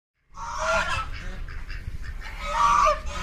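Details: Black swan (Cygnus atratus), call.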